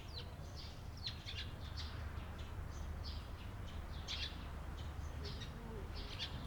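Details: Eurasian tree sparrow chirping, recorded 28 April 2022; clusters of quick, clipped chirps come every second or so, with a constant low rumble underneath.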